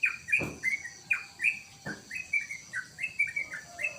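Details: Caged sooty-headed bulbul (trucukan) kept at home, singing quick, bright, slurred chirping notes in short clusters. Two sharp knocks or taps break in, with steady high-pitched background hiss throughout.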